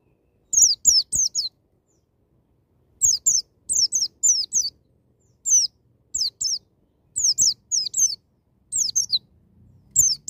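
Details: Loud white-eye song in wild 'ngalas' style, meant to prompt young birds to open up: clusters of two to four high, falling whistles repeated through the stretch with short silences between groups.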